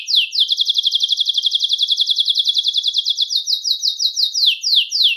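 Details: Belgian canary song used for attracting and calling canaries: a long, rapid, even trill of bright notes that slows into separate downward-slurred whistles near the end.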